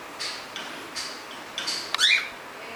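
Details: A cockatiel gives a few soft, scratchy chirps, then a brighter warbling note that slides downward, as a pair first inspects a new wooden nest box after initially being scared; the pied male leads the inspection.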